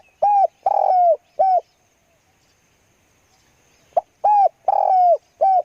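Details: Decoy spotted dove cooing twice. Each phrase runs from a sharp soft note through a gravelly, lengthened middle coo to a brief even coo. A quiet pause separates the phrases.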